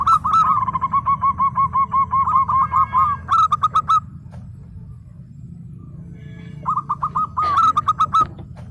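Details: Local zebra dove in lively song: a long rapid string of clipped coos lasting about three seconds, followed by shorter runs after a pause, over a constant low rumble.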